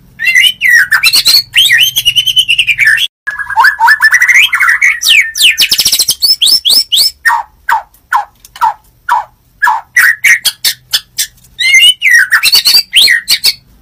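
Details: In the morning, a white-rumped shama sings loud, varied phrases of rich whistles, rapid churring trills and sharp repeated notes, with harsh rasping bursts in between.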